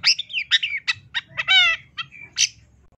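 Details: Long-tailed shrike master song in the full tembakan style, used as a training recording for songbirds: a short, varied burst of whistled slurs, buzzy harmonic notes and abrupt chips with brief pauses between them.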